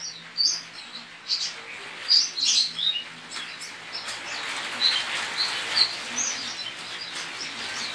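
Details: Javan white-eye from Pontianak, West Kalimantan, entered in an online singing contest; quick, sharp high chirps over a steady hiss of background noise, fading into softer twittering.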